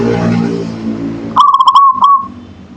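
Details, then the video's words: Local zebra dove (perkutut) singing: a burst of quick staccato coo notes running into a drawn-out, level purring trill, then a short final note, all after a stretch of low rumbling background noise. "Suara Perkutut Lokal Manggung"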